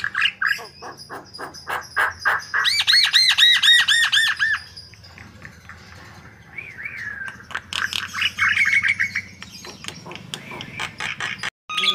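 A white-vented myna sings a rapid jumble of harsh squawks, dry clicks and ringing, rising whistled notes, with a buzzy stretch in the middle. No other sounds stand out.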